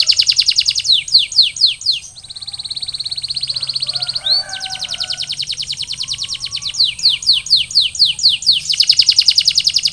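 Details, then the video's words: Post-molt canary song: fast rolling trills alternate with a steady buzzy rattle and series of descending swept notes, under a thin continuous high whine. "Post-Molting Recovery: Get Your Canary Back to Gacor Faster!"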